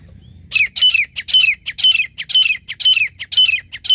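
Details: Grey francolin (teetar) in a hunting setting giving a loud, insistent series of harsh, grating notes, each phrase dropping in pitch, repeated about twice a second for several seconds, with little else heard besides a low hum.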